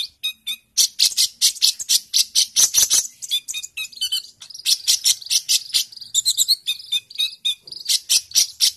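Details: Excited sunbird singing without pause for master training: a dense, almost continuous stream of very high metallic ticks and trilled chips, rhythmic and buzzy, with short whistled slurs near the end.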